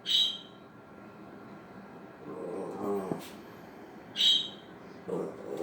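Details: A female Quaker parrot, teasing the household dog from the floor, gives two short, harsh, screechy squawks a few seconds apart, with a person speaking between.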